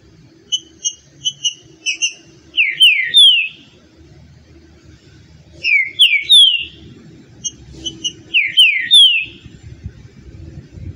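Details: Green-winged saltator giving soft short chip-like notes, then three bursts of rich whistled song phrases with descending slurs, spaced a few seconds apart over a faint low background hum.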